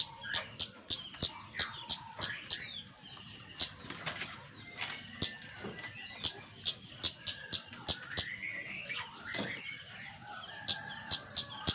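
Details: Flowerpecker delivering runs of sharp, high tick notes separated by short lulls, accompanied by faint warbling and whistling of other birds.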